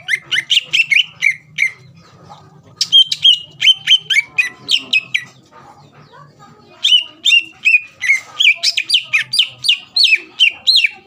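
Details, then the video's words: Greater green leafbird song used to provoke rival birds into answering, long fast sequences of ringing whistled and chirping notes in several bursts, separated by a short quieter stretch with faint low hum. "PANCINGAN CUCAK IJO GACOR MEMANCING EMOSI LAWAN LANGSUNG NYAUT"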